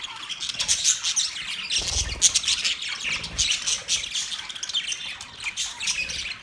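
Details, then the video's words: Australian budgie parrots chirping in a steady stream of sharp, high squeaks and chattering notes, voices overlapping, with a soft low bump near the two-second mark. "Sound of Budgies parrot Budgies chirping sound"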